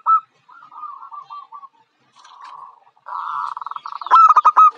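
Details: Local zebra dove, young and contest-ready. A soft descending series of notes is followed by a buzzy rolling trill, which builds into a loud, staccato burst at the end.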